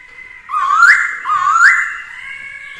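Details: Two rising whistles, each climbing in steps and then holding steady, come from a black-throated laughingthrush singing to provoke rivals, with a female kept nearby. A long level whistle trails off afterwards.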